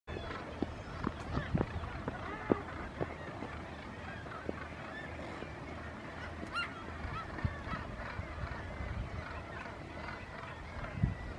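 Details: Black-legged kittiwakes at Bempton Cliffs, collecting nest material, give a steady chorus of overlapping nasal, wailing calls, with low rumbling wind or surf running underneath.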